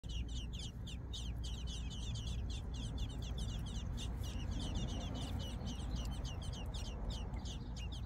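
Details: American robin nestlings being fed by their mother keep up a rapid, high, squeaky begging chatter, several notes a second, over a steady low rumble of wind or traffic.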